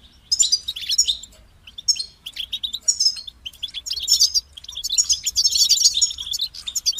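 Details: European goldfinch singing: bursts of rapid, high, tinkling twitters and buzzy trills, separated by short pauses, then a longer, denser run of chattering notes toward the end.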